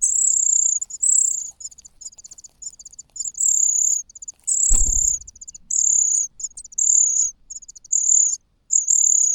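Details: Hungry cuckoo chick in a nest, crying loudly while the host's own chicks are already fed: very high, thin, shrill trills repeated in bursts about once a second, with one sharp knock midway.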